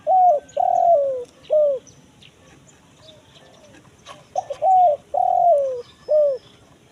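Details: Wild-bird lure of a spotted dove in 'kuk 1 mersik' style: two complete phrases about four seconds apart, each a quick double pickup, a long falling coo and a short clipped closing coo, with quiet background between.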